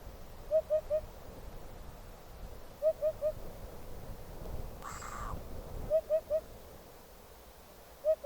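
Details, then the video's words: Eurasian hoopoe (Upupa epops) recorded in the wild, giving soft, low, hollow "oop-oop-oop" triplets repeated every two to three seconds, over a low rumble with one brief rushing noise. "Hoopoe Sound – Song & Bird Calls"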